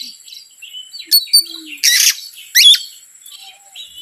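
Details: Oriental magpie-robin song used to provoke other birds: quiet whistled notes, two quick sharp chips, then a loud harsh buzzy burst and a ringing rasp.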